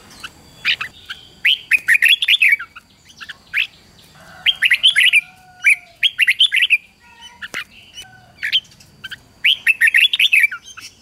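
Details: Morning competition song of a red-whiskered bulbul, used to spur wild-caught birds into singing: clusters of quick, lilting whistled phrases repeated every two to three seconds, with sharp clicks in between.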